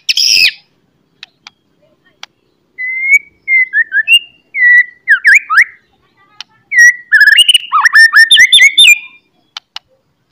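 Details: Morning White-rumped shama song used as a lure to rouse singing and fighting: a harsh note, then separate clear whistled slurs with gaps, building into a fast run of varied high twittering notes.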